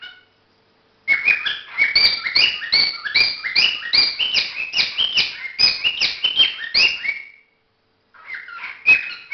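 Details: Cockatiel during courtship, a brief whistle, then after a second of quiet a long burst of fast harsh chirps and whistled notes falling in pitch, about two per second, followed by silence and a final few notes.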